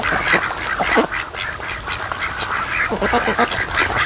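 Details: Ducks resting by a lake in afternoon sun at a creek mouth, mostly sleeping and lying about; busy, continuous quacking from several birds, short hoarse notes overlapping in an uneven stream.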